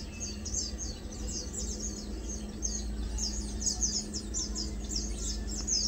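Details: Lowland white-eye, locally called Matang Dulong: a steady stream of thin, high chirps and short twittering notes, several overlapping, over a low steady hum and rumbling background noise.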